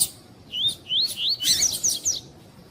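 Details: Female double-collared seedeater calling, used to excite a male: a series of thin, high, rising whistled slurs, about six notes over two seconds, some overlapping, with a faint low background hum.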